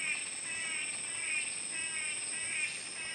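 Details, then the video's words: Blue-backed manakin, two males performing a dance display for a female: nasal, buzzy harmonic calls repeated roughly every half second over steady high insect whining. "Blue-backed Manakin two-male dance display for a female"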